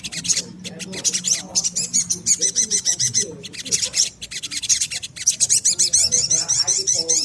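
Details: Lively little spiderhunter song played as a lure for training birds: a long, dense run of piercing high chips repeated several times per second, broken by brief gaps, with soft lower twittering in the background.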